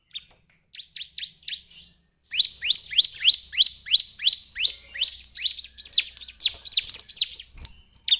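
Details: Bar-winged prinia (perenjak Jawa) starts with a few soft, high chips, falls silent briefly, then pours out a loud, quick succession of down-slurred notes over a faint low rumble.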